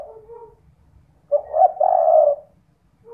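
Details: One full cooing phrase of a spotted dove used as a lure at night to make other doves call: a short broken opening note then a long, husky, level coo, with the soft tail of another phrase around it.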